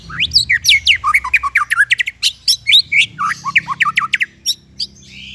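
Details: White-rumped shama singing for a tutoring track aimed at young or silent shamas: a continuous fast stream of loud, varied whistles and sharp downslurred chirps, roughly four per second, over a faint low hum.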